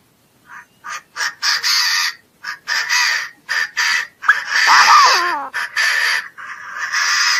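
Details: Chinese francolin calling: a series of loud, harsh, rasping bursts repeated at short, uneven intervals, with one whining, descending harmonic note near the middle; no other clear sounds.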